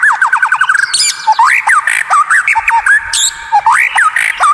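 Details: Caged white-rumped shama, a masteran recording used to tutor other birds, singing a varied, unusual phrase: quick rapid trill of repeated notes, then loud whistled upslurs and downslurs with sharp high metallic accents.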